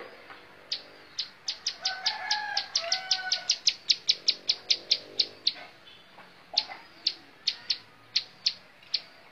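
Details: Bar-winged prinia singing in the montal mantul style: a fast run of sharp, high, clipped notes, about two to three per second, briefly pausing midway before resuming; a few softer lower tones underneath early on.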